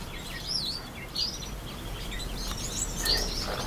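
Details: Brown quail chicks, one day old, in October 2014: thin high chirps and slurred peeps scattered through the recording over a steady low background hiss.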